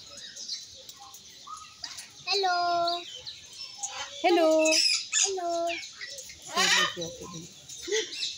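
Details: Triton cockatoo talking: three or four drawn-out, voice-like phrases with clear tonal bands, seemingly "hello", separated by short pauses, over constant high chirping and twittering from many small birds.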